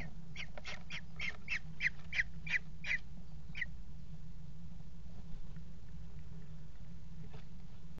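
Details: Eurasian kestrel calling during mating on the nest box edge at a water tower, 5 February 2018; a quick burst of about nine piercing, repeated kee notes, then one more and near quiet with background hum.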